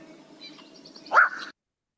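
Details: Black-crowned Night Heron giving its single loud, harsh barking squawk, the call it gives when it flushes, after a quieter stretch of faint background noise.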